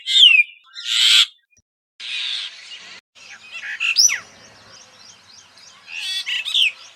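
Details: Brahminy starling in Rajasthan: high, squeaky notes in a varied run. A descending whistled slur and bursts of harsh chatter come first, then a sharp rising-then-falling whistle near the middle and more gurgling chatter at the end, with brief silent gaps.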